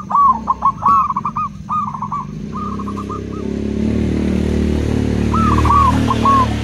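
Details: Local and crossbred zebra doves answer each other with quick runs of soft, rolling, arched coos in short bursts, then fall quiet before a final burst, over a rising low engine rumble.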